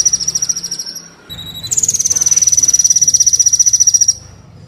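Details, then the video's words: Kolibri Wulung sunbird, from a recording meant to make captive birds sing and draw in wild ones: a long rapid high trill of evenly pulsed notes, slowly falling in pitch, over a low background hum. "pancingan/masteran Kolibri Wulung full isian mewah"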